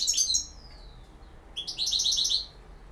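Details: European goldfinch, campero-style song. A tinkling twittered phrase slides down into a fading glide, then after a short pause comes a second burst of fast, sparkling notes.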